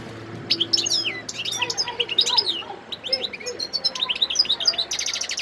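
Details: European goldfinch, a wild bird, in Sidi Bel Abbes in December 2021. It sings an almost continuous, lively twitter of high, bending notes, ending in a buzzy, rapid trill, over a soft low hum.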